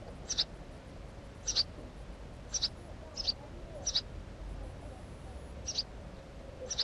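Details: House sparrow giving short, high chirps, single or paired, spaced roughly a second apart over a steady low background hum.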